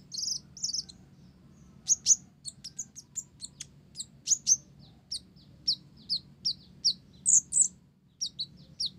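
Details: Olive-backed sunbird (blorok) singing gacor, its song filled with learned Java sparrow (gelatik) phrases: rapid, very high, sharp chirps and short ticking notes in quick irregular bursts, with a few brighter whistled accents and low background hum.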